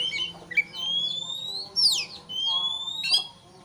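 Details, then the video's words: Emotional Oriental magpie-robin song used to provoke a rival: long, clear whistles drawn upward, broken by a sharp downward swoop and a few harsh notes, with a soft low hum behind. "pancingan kacer emosi supaya lawan cepat ngotot/ emosi"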